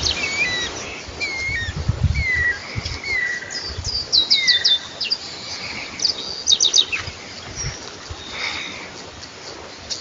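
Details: Saffron finch in natural surroundings, mixing mid-pitched slurred whistles with bursts of rapid high chirps and trills over ten seconds, with light background noise.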